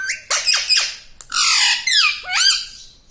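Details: Talking parrot kept as a pet, voicing words like "Papa"; loud, harsh, harmonic syllables with sweeping falls come in quick succession.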